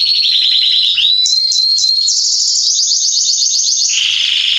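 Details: Male Belgian canary, Salsa strain, in full song: fast chattering trills, a few short whistled notes, then a long high rolling trill dropping into a lower buzzy roll at the close.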